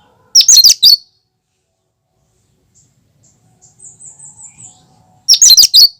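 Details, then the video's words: Natural cucak kinoi song free of mimicry, played to prompt and lure birds: two loud, scratchy, rapid-note bursts about five seconds apart, with soft thin whistled notes and a faint rhythmic murmur between them. "Suara asli cucak kinoi"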